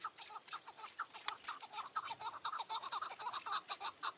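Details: Chukar partridge on a mountain at evening in June 2018, during a trapping hunt; a steady run of loud, clipped chuck notes, about two per second, rising into a rhythmic chattering series.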